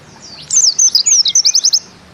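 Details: Bustomi-type white-eye (pleci) in 'nembak ziperrr' style: a thin, high zigzagging warble ending in a short fast run of repeated notes, faint hiss behind.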